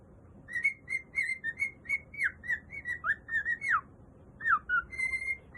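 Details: Pet male cockatiel singing a whistled tune: a series of clear, short whistles, some level and some sliding downward, then after a pause a few more notes and a final steady, pure whistle.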